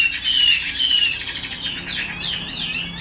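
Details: Captive female Chinese hwamei, kept to excite males, giving 'xùy' and 'te dụ' calls: a couple of drawn-out whistled notes, then rasping, down-curving chirps repeated in quick succession.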